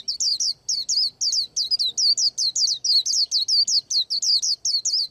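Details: White-eye preparing to moult, singing a rapid unbroken run of high, sweet chirps that sweep downward, about four notes a second for five seconds, with nothing else heard.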